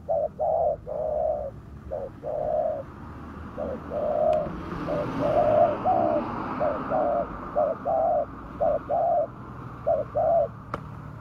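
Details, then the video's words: Spotted dove or tekukur, used as a lure for wild doves, giving a steady series of low hollow coos, paired and single, about one per second, with background hiss. "pikat tekukur suara padu cocok buat memikat tekukur liar"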